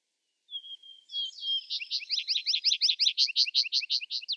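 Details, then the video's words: Vesper sparrow song opening with a clear, level whistled note, then a brief buzzy flourish, and running into a long, steady trill of bright, repeated chirps lasting nearly three seconds. "Vesper Sparrow Bird Sound Bird Song Bird Calling, Chirps"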